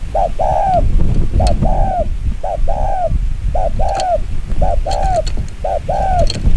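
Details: Rapid chiêu gù kích bổi cooing from a spotted dove, called chim quân tử in Vietnam: six evenly spaced phrases, each a short clipped note followed by a longer down-curving coo, roughly one phrase per second, with faint clicks and low hum.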